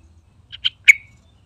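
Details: Yellow-vented bulbul calling to lure others: two soft chirps followed by a louder, sharp note with a brief trailing whistle, all within half a second.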